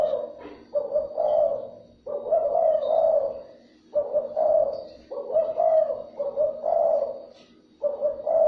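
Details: Repeated spotted dove coos for luring other doves: throaty, slightly warbled phrases of two or three notes, about five bursts separated by short gaps, a faint hum underneath.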